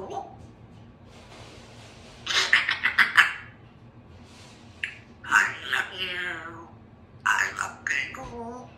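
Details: Young Congo African grey parrot, a female hatched in June 2021, practising her words; apple is her word of the week. Short bursts of speech-like chatter and clicks come in three groups separated by quiet pauses.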